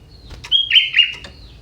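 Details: Young forest sooty-headed bulbul singing with prinia-like phrases: a clear, steady whistle near one pitch that breaks into a short, slurred downward warble. Soft clicks come before and after, with low background hum.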